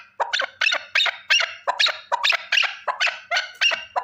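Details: One male partridge gives a brisk series of rasping chuck notes, about three a second, each a short double-pulsed burst.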